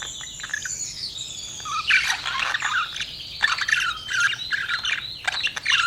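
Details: Pet budgie giving a continuous run of high, scratchy warbles and squeaky chirps, with the chatter rising and falling in loudness throughout.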